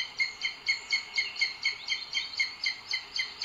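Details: At a nest in Sierra de Guadarrama Natural Park, Spain, a booted eagle calls on 2 June 2022 as the male brings food to the female. Picked up by a webcam. Steady, shrill, clipped notes about four per second, evenly paced throughout.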